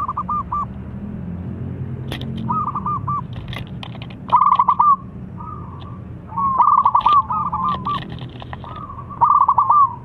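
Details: Local zebra dove, a vigorous caller, answered at once by a rival: repeated soft cooing phrases of quick rolling notes ending in a drawn-out coo, several birds overlapping, with clicks and low background noise.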